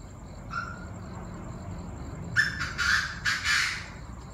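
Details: Chinese francolins in a noisy evening chorus at 7 pm on 18 September. A short early note, then a loud run of harsh, rasping, repeated calls in the second half. Pulsing insects sound steadily in the background.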